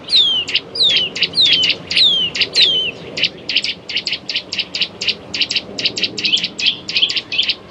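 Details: Eurasian nuthatch singing a run of clear whistles that slide steeply downward, about two a second, then breaking into a faster, even series of short clipped notes; faint low rumble in the background.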